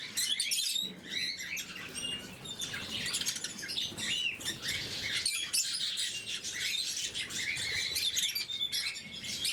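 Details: A steady wash of high, squeaky twittering from blue-mutation lovebirds during their morning feed, with some wing flutter and rustle mixed in.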